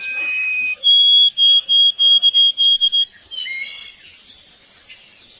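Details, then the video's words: Cardinal song opening with a brief whistle, then a pure steady whistled note repeated in quick even pulses for about two seconds, followed by softer scattered high notes. "Suara Burung Kardinal"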